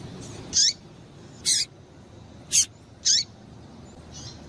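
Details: Female double-collared seedeater calling to stimulate males to sing: four short, sharp, very high chips spaced about a second apart, then a fainter fifth note, over a low steady background hiss.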